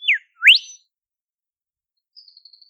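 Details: Olive whistler, a shy forest bird of temperate southeastern Australia, recorded in the wild: a sharply falling whistle, then a loud upswept whistle with a sustained high tail, followed by a faint series of five short high chips.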